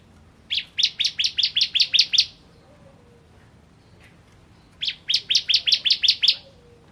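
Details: Bar-winged prinia, known locally as ciblek kristal, singing in a lively burst: two fast runs of about nine sharp, high chipping notes, each run lasting under two seconds, separated by a pause of roughly two and a half seconds.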